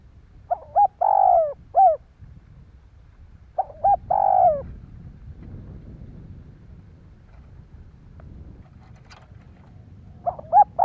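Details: Spotted dove cooing to excite other doves. Three phrases at irregular intervals, each of soft hooted notes and one longer descending coo, with a low background hum.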